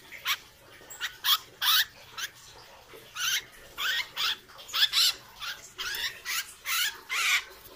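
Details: A captive, wild-caught Hair-crested Drongo being trained gives harsh, rasping, chattery notes in quick irregular bursts, some with a wavering metallic twang, about two or three a second.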